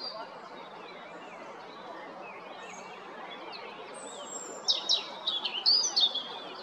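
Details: European robin song at Jarun, Zagreb, Croatia, 13 April 2022: soft, distant-sounding warbled notes build into a louder closing run of sharp, high tinkling phrases.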